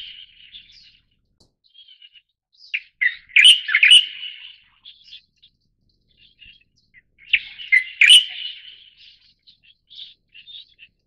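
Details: Taiwan's light-vented bulbul, Pycnonotus sinensis formosae, singing two loud chattering, warbled phrases roughly five seconds apart, each framed by quieter scattered chirps and twitters, pitch staying bright and high, quiet surroundings.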